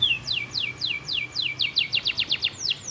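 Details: Master training song of a canary in the 'isian gereja' filler style: clear downslurred whistled notes repeated about every quarter second, quickening into a faster run before two higher sweeping notes.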